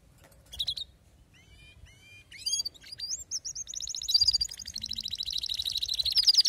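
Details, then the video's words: Male canary in full excitement starts with scattered thin whistles and chirps, then builds into a continuous, accelerating trill of bright notes that grows steadily louder. "هيجان ذكرى كناري سيجبر كناريك على التغريد فورا"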